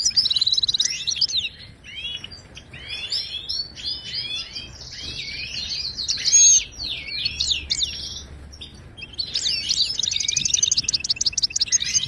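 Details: European goldfinch of Moroccan wild stock singing, offered as a tutor recording for silent caged birds; bright, varied twittering phrases mixing liquid slurred notes, buzzy rattles and fast trills in bursts with brief pauses.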